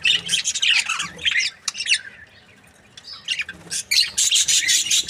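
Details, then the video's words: Budgerigar breeding pair, said to be happy, uttering harsh squawky chirps, a quiet lull in the middle, then fast rhythmic chatter. "Happy budgie chirping sounds | Australian budgies breeding pair"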